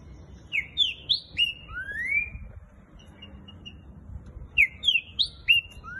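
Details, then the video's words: Green-winged saltator of the fast "boiadeiro" song type singing a quick phrase of rich, clear whistled notes, some slurred upward, repeated after a brief pause. "TRINCA FERRO BOIADEIRO MAIS RÁPIDO DO BRASIL!"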